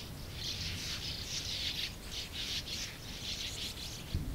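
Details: A colony of over 100 sand martins gives a dense, continuous chorus of dry, buzzy twitters over a low rumble of wind or background noise.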